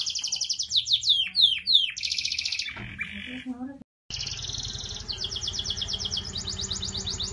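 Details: Energetic canary singing used to coax a silent canary: rapid sweeping notes, a brief pause, then long rattling trills and bright repeated pulses held high, over a low steady background rumble.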